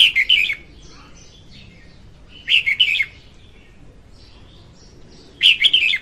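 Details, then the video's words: A female red-whiskered bulbul sings on a recording meant to lure bulbuls into traps. Three short, bubbly, warbled phrases come about every two and a half seconds, with faint soft notes between them. "Tiếng chim chào mào hót Ko Tạp Âm dùng đi bẫy"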